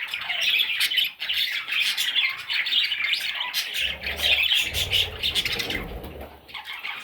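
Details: Baby parrots giving a constant stream of raspy, overlapping squeaky calls that dip briefly near the start, with a low rumbling noise midway through.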